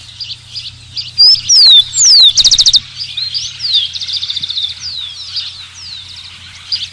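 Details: Singing rufous-collared sparrow (Zonotrichia capensis): clear descending whistles followed by a loud rapid trill, then quieter repeated phrases and trills, amid a dense background of chirping birds.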